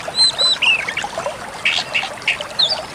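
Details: Pied Bushchat song from a tutor recording for caged birds, with a pair of thin high whistles, then softer scratchy warbles and a few bright chirps.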